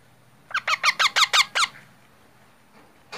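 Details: Baby parrot calling indoors: seven loud, grating squeaks in a fast, steady burst, each sliding downward, followed by near silence and a brief scraping noise at the end.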